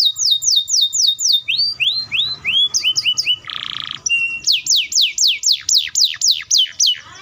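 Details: Canary's long speedy roll, sung to coax young and stuck canaries into replying: falling whistled sweeps, lower rising slurs, a harsh buzzy patch, then a fresh series of loud descending sweeps.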